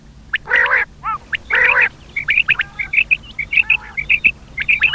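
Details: Common quail calling as a hunters' lure: two harsh nasal harmonic bursts open, then quick runs of bright high chirping notes in uneven groups.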